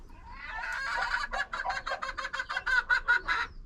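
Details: A hen shut inside a coop to lay gives loud, rhythmic cackling: about a dozen harsh clucking notes roughly every quarter second, the call made at laying time that shows she is about to lay.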